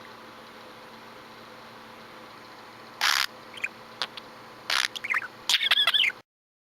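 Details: Pet budgerigar indoors, chirping in an unprompted, unscripted moment: a quiet start, then at about three seconds a harsh broadband burst, followed by scattered short clicks and a quick run of warbled, twittering chirps near the end.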